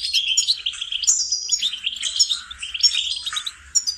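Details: Goldfinch song used as a singing lesson for training songbirds: a fast, continuous twittering of bright, high chirps and short trills, with buzzy slurred notes dipping lower around the middle and end. No other sounds.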